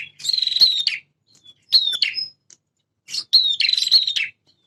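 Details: Actively singing male prinia, its song said to blend prenjak semi and prenjak klawu styles. Three loud, rapid, buzzy rattling phrases, each opening with sharp high notes, with a second's gap between.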